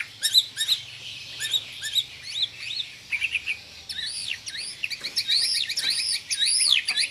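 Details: White-rumped shama in a combined sharp-voiced 'tembakan' song with tight rolls: clipped high notes at first, then a fluent cascade of looping, rising and falling whistles packed closely together.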